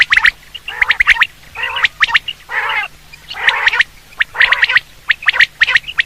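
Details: Quail (batair) sound for hunting: harsh, gargling bursts alternate with clusters of sharp high clicks. The phrases repeat about every second over a steady low hum.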